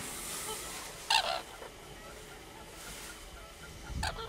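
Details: Common crane calling: one loud, harsh, harmonic trumpeting burst stands out early, followed by a fainter call near the end, over a steady noisy background.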